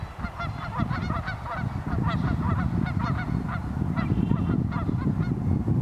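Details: A flock of geese honks on the Pend Oreille River, North Idaho, on a very cold morning, with rapid, overlapping nasal honks crowding together above a heavy low rumble.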